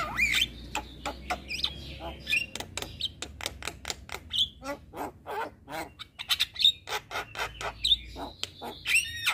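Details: Asian pied starling song used as a master recording: dense, fast sequence of sharp clicks and rattling notes mixed with short high whistles, continuous over nine seconds.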